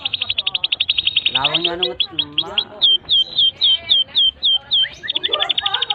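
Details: Long, continuous canary tutor song for young canaries and for canaries that have stopped singing. Fast buzzy trills are followed by a lower rolling passage, then upswept whistled notes repeated about three times a second, ending in rapid trills.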